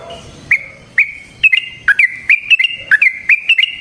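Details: Sooty-headed bulbul singing for a trapping lure: spaced single whistled notes that quicken into a rapid chain of clear up-and-down phrases.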